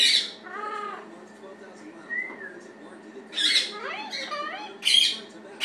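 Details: Male blue-fronted amazon kept as a pet, seeking attention, mixes speech-like warbled syllables and a short whistle with loud, grating squawks.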